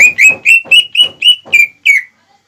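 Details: Greater green leafbird singing a lure song to provoke rivals, young or adult: seven quick, loud, clear whistled notes at an even pitch, each with ringing overtones, the last slurring downward before silence.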